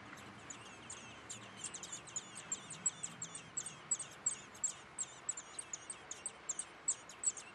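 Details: Eurasian blackbird nestlings being fed in a backyard nest in Weert: thin, very high peeps repeated in quick succession, roughly two or three a second, over a steady soft hiss.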